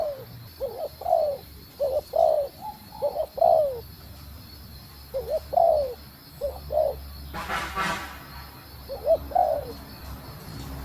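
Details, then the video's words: Spotted dove female calling to stimulate the male, bursts of rapid two-part coos with short lead notes and falling tails, pausing briefly, with one loud rushing noise burst near the end. "Cu Gáy Mái Thúc Gù Kích Trống Ức Chế | Tiếng Chim Cu Mái Gáy"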